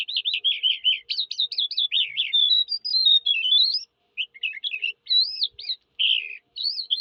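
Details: Singing Eurasian skylark pouring out a fast, nearly continuous warble of trilled and slurred high notes for several seconds, then broken, chirpy phrases.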